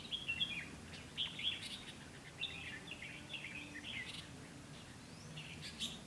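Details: Red-whiskered bulbul used as a decoy, singing to lure wild bulbuls into a trap on 12 August 2016; quick chains of warbled, whistled notes, rising and falling, in short bursts with brief gaps, over faint background hiss.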